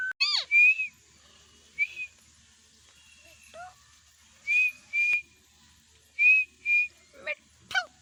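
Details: Indian ringneck parakeet giving short, clear whistles at a steady pitch in pairs, with a few falling, screechy notes at the start and end and quiet gaps between the bursts.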